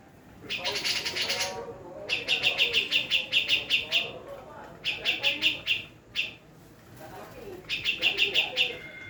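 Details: Female black-throated laughingthrush, Javan type, delivers a harsh buzzy burst, then several fast strings of clipped, evenly spaced chirps with short silences between them.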